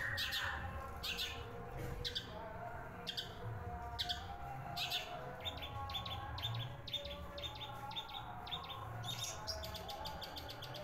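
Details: Long-tailed shrike acting as a house guard, calling immediately when people arrive: scattered sharp chirps, then dense rapid bursts of clipped notes, over low background rumble.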